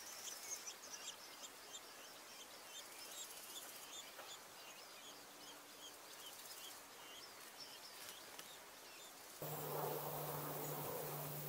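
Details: Red-backed Shrike (Lanius collurio) nestlings being fed give rapid, thin, high chirps, about three a second, for nine seconds, then a steady low hum and rushing noise take over.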